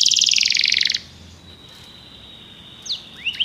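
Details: Belgian canary gives a one-second burst of very fast high trilling, then near silence broken by two short sweeping notes.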